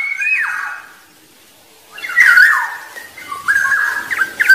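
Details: Black-naped oriole, a wild bird whose song is used to draw rivals: a mellow falling whistle, a silent gap, then a series of rich fluty whistled notes with small jumps in pitch, somewhat rough and blurred.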